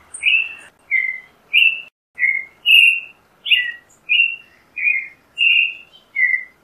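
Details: Song of the creamy-bellied thrush, Turdus amaurochalinus: a steady string of ten short, bright whistled phrases, mostly dropping in pitch, delivered roughly every half second with a few thin high squeaks between them.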